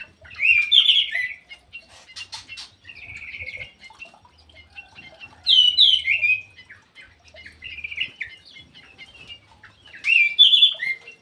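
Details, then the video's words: Ground thrush in an aviary, singing actively: loud bursts of rich, warbled whistles repeated at intervals of a few seconds, with quieter twittering phrases in between and low rumbling in the background. "PUNGLOR JALI GACOR"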